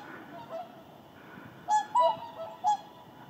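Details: A flock of whooper swans landing in the Indalsälven delta to rest and preen during southward migration; four loud, nasal honking calls in quick succession in the second half, over a steady background hiss.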